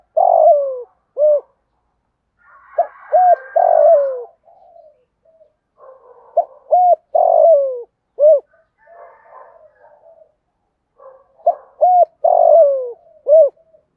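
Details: Spotted dove used as a decoy, cooing in the morning to call wild doves. Low, mellow coo phrases of short notes, a long falling coo and a closing note are repeated several times, with faint softer chirps between them.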